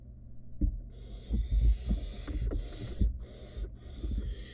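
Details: Wild barn owl nestling in a monitored nest box, playing with food its mother delivered; harsh broadband hissing starts after a second and runs in long breathy bursts with short breaks, over low thumps and scuffles.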